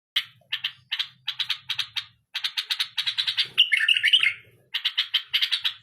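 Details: A tame bulbul singing: rapid bursts of short, bright chirping notes repeated in quick runs, broken by a brief warbled, twisting phrase midway, then more clipped chirps. Faint low hum in the background.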